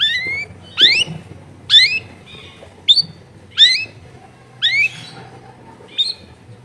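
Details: Long-tailed shrike recorded at home among dense housing, used to make a silent bird answer: seven sharp upward-sweeping squawks roughly one second apart over a low steady hum.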